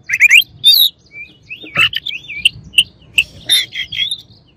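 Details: Varied white-rumped shama song mixing fast high chirps with smooth gliding whistles and short warbled phrases, delivered in quick, irregular bursts.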